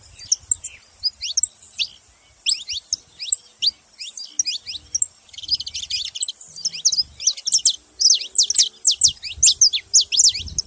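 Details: Saffron finch calling with high, sharp downslurred chirps, sparse at first, then a dense, lively chatter of overlapping notes through the second half.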